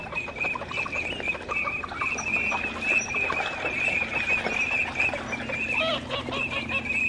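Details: Teal flock calling together: a dense, continuous chorus of short, high, whistled notes forming a steady band, with lower scattered chatter and quack-like notes beneath.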